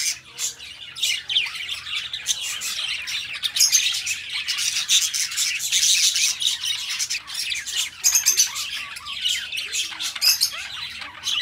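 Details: Two pet budgerigars, companions kept together, chattering in a dense, continuous high-pitched warble of scratchy chirps and squawks that swell and fade in short bursts throughout.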